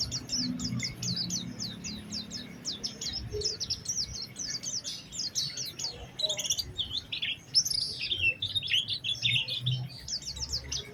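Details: High, rapid twittering from an Oriental white-eye used as a lure song to set other white-eyes singing; quick repeated chips give way to slurred warbled phrases over a steady low background hum.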